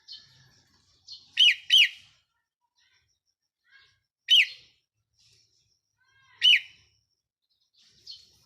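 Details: Red-whiskered bulbul kept as a decoy bird, recorded 4 May 2023: short, loud, bright warbled phrases at about 1.4, 1.8, 4.3 and 6.5 seconds, each a quick rising-falling burst, with quiet gaps between.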